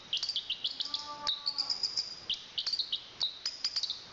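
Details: Chestnut-capped thrush (Zoothera interpres), a national champion, sings softer, high, thin whistled notes in quick stuttering runs and short held tones, with a faint low humming tone in the background.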